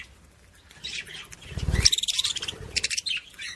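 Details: Budgerigar chirping meant to stimulate other budgies: bright, quick tweets and a rapid ticking run of notes, ending in scratchy chatter.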